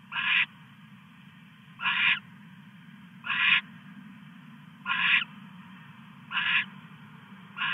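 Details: .Owl male bringing a mouse to the female at 2:34 AM on 22 August 2015: harsh, noisy screeches about half a second long, repeated roughly every one and a half seconds, over a steady low hum.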